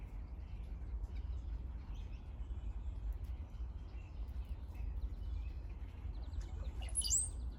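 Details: Brown-headed cowbirds visiting, making odd gurgling noises likened to a water drop: faint scattered notes, then one loud, high, thin whistle sliding sharply upward near the end, over a low background rumble.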